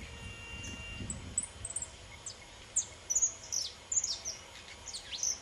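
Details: A young saffron finch of subspecies pelzelni sings freely: high, sharp chips and downslurred notes, sparse at first, then quicker and louder toward the end, with a faint hum underneath.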